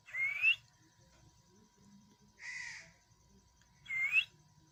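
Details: A parrot alternates short upward-sliding whistles with a rougher, buzzy note in between, each about two seconds apart, over a faint steady hum.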